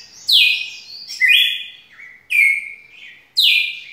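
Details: A red-cowled cardinal sings its long song, strong whistled notes sliding down into flat sustained tones, four phrases in quick succession, clean and close.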